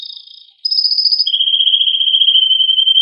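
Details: Excited male canary singing to spur other canaries to mate, starting with a high even trill, then dropping into a long, loud, steady rolling trill slightly lower in pitch.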